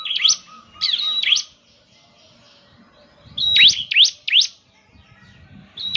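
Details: Bar-winged prinia song played so a caged bird will start singing: scattered clusters of sharp, high, upswept chirps separated by quiet gaps, with faint low rumbling.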